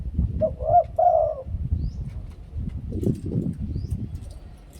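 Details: Spotted dove two-kuk, ku-ang song: one quick cooing phrase of short notes and a longer arched coo at the start, followed by low rumbling and rustling noise.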